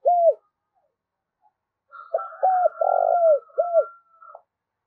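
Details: Decoy spotted dove calling to lure and provoke wild rivals: one short curved coo, a pause, then a run of four deep coos with a longer, louder middle note, over a thin steady higher tone.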